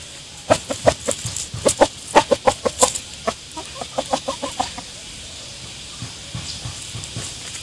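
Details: Rooster and hen foraging for food in a forest garden; a run of short, rapid clucks repeated about three per second, tailing off into softer, quieter clucking, with light background rustling.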